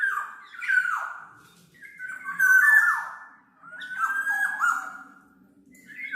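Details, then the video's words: Black-naped oriole singing for use as a lure or training recording: a run of fluty, swooping whistles, each phrase slurring downward, delivered in rolling waves. "SUARA BURUNG KEPODANG MAS, untuk masteran/pikat"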